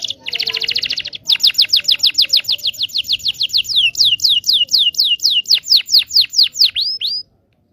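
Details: Canary singing a long training song for young birds: opening buzzy trill, then about thirty quick descending whistled notes repeated steadily, slowing slightly toward the end before stopping.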